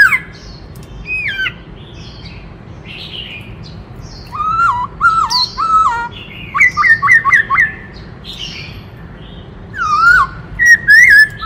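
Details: Black-throated laughingthrush in a varied song that switches between many voices: squeaky high phrases, then runs of clear, bouncing whistled notes repeated rapidly, ending in loud slurred whistles.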